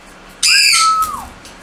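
A turquoise-fronted amazon gives one call under a second long: it opens with a rough, buzzy burst, then turns into a clear whistle that slides downward.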